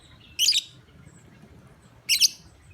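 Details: Lovebird luring call used to get other lovebirds calling: two shrill, scratchy chirp bursts about one and a half seconds apart, with low background hum.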